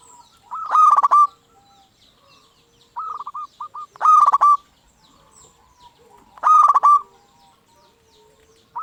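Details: Zebra dove of a local strain in full song, used to stir quiet doves into replying: loud, harsh rolling coos roughly every three seconds, with softer clipped notes between them.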